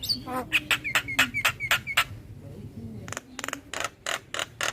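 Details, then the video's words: Male Javan myna, described as a vigorous caller summoning companions and used as a lure for catching mynas, giving a run of short repeated harsh notes with whistled down-slurred accents, then a second burst of broadband rasping notes. "Burung Jalak Kebo Jantan Gacor Memanggil Teman Cocok Untuk pancingan jalak Pikatan"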